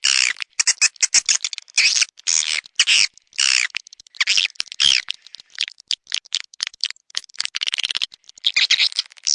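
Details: Swiftlet attracting call, Anak Muda style: bursts of harsh high buzzing twitters half a second long, separated by brief silences, then a scattered run of quick clicks and chirps before a final buzzy burst.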